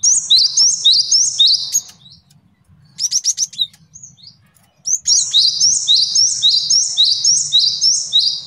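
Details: Male cinereous tit master song for teaching songbirds and trapping: a fast string of high, ringing two-part whistles, a short chattering burst, then another long run of the same rhythmic whistled phrases.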